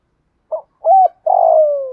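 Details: Spotted dove coo in the thổ or thúc style with calling coos, meant for training reluctant decoy birds: a brief soft note, a round hooted coo, then a long buzzy croon sliding slowly downward.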